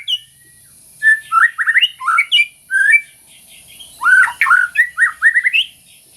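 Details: Caged white-rumped shama singing loud, rapid whistled phrases, with upswept and downslurred notes in short bursts and a few harsher squawky notes mid-phrase.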